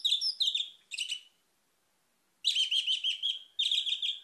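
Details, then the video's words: Orange-headed thrush singing as a lure for other birds: rapid twittering phrases of clear whistles and trills, a brief silence, then a longer rolling run of looping whistled notes. "PANCINGAN ANIS MERAH CEPAT GACOR"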